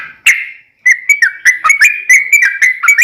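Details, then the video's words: Sooty-headed bulbul song meant to trigger a reply from other bulbuls: one loud slurred note, a brief gap, then a fast string of chirpy whistles with small rising and falling twists. "KICAU SUARA trucukan gacor TARUNG ROPEL PANJANG"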